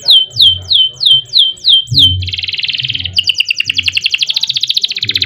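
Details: Canary in ngerol nembak song: six clear descending whistled notes about a third of a second apart, then a rapid buzzy roll and a high, fast chattering trill.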